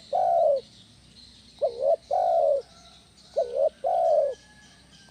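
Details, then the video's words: Spotted dove cooing in the 'kuk 1' style, a lure for training other doves. The clip opens with a long steady coo, followed by two phrases that each pair a short stuttered note with a sustained low coo. "SUARA BESAR PANCINGAN TEKUKUR KUK 1 GACOR"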